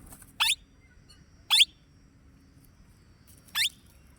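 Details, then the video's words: Plum-headed parakeet giving three short, shrill, squeaky calls, each a quick wavering high note. They are spaced about one and two seconds apart over a quiet background. "original sound of plum headed parakeet parrot"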